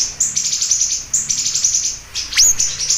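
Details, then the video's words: Siri-siri bird singing vigorously, offered as a lure and tutor recording for songbird keepers: thin, very high chirps in quick bursts, with one sharp upward-swept note near the end. "Pancingan Dan Masteran Burung Siri Siri Gacor Dor"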